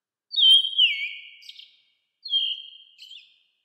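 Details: Two long whistled notes from a calling American robin. The first is loud, dipping and wavering for over a second; the second is shorter and flatter, with a small flourish at the end. Nothing else is heard.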